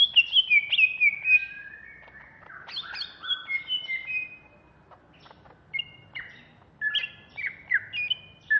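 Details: A greater green leafbird from Banyuwangi sings a furious ngentrok: cascades of descending whistles, rising sweeps, short bright chips, and quick repeated slurred phrases with brief pauses.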